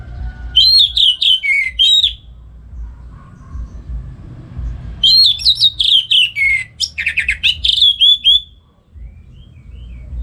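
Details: Morning ngeplong singing by an orange-headed thrush in North Bali, played as a tutor for songbirds. Two long, loud phrases of sweet whistles, slurs and fast rattling notes separated by a short pause.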